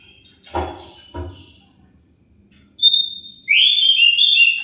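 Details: Two low knocks are followed by an Oriental magpie-robin's lure song, meant to make other birds answer: a sustained whistle leading into a rapid, varied warble of high sliding notes.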